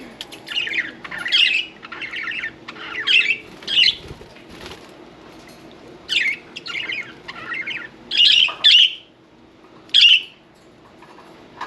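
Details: Chattering pet budgerigars, one in a bath, producing scratchy warbling chirps in bursts, interspersed with louder sharp squawks and a soft thump of movement around the middle.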